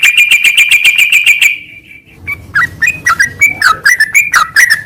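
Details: Yellow-vented bulbul master song recording, used as a lure to prompt other bulbuls to sing. It opens with a rapid run of sharp, evenly repeated notes for about a second and a half, pauses, then turns to bubbly, varied whistled phrases over a faint low rumble.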